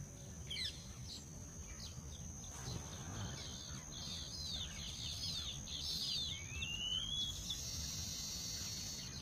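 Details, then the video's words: Nesting weavers chattering in a busy mix of short chirps and buzzy, sizzling notes, with a rising whistled slur near the end, over a steady high insect-like hiss and low rumble. "weaver bird|chirping bird"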